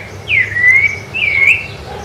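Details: Two loud, sweet whistled phrases from a Rufous-bellied thrush on Ilha do Governador in January 2013, each opening with an upward swoop and sliding into a long, steady fluting note.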